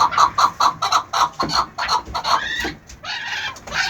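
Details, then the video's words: Chukar partridge, eleven months old, giving evenly spaced clucking notes about five per second, then a harsher, drawn-out rising phrase in the final second. "11 months crack Chakor"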